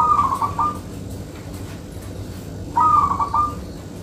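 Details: Local zebra dove (perkutut lokal) singing in the dense 'manggung rapet' style, suited for luring other doves: two bursts of rapid bubbling, pulsed coos on a steady mid pitch, one at the start and one near three seconds, over low background hum.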